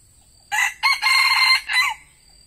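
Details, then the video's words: Decoy red junglefowl cock used to lure wild junglefowl crows loudly and clearly: a short opening note, then a longer harsh, sustained middle section and a brief falling final note, the whole lasting about one and a half seconds. "AYAM PIKAT TEDUNG BERAKSI"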